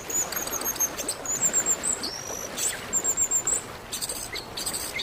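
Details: Orange-headed thrush, an Indonesian cage bird, played as therapy to get a silent bird singing: high whistled phrases, some flat, one rising, spaced through the clip over a steady hiss of background noise.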